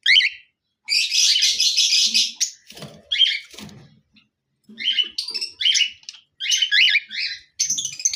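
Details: A cockatiel pair at a bird exhibition gives bright, warbling whistles and chirps in quick, loud, high-pitched bursts.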